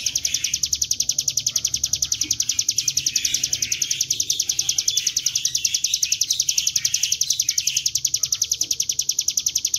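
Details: Bar-winged prinia (ciblek gunung) lure song used to bring birds into singing: a long, unbroken, rapid trill of high, sharp notes, evenly paced at about three and a half notes per second.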